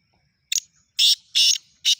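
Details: Black francolin of the Shidi type calling loudly: a short clipped note, then three harsh, rasping, grating notes spaced about 0.4 seconds apart, with a quiet background.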